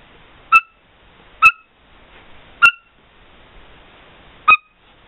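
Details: Black-headed caique indoors: four short, clear, whistled chirps with a sharp onset, spaced roughly one second apart, in a quiet room.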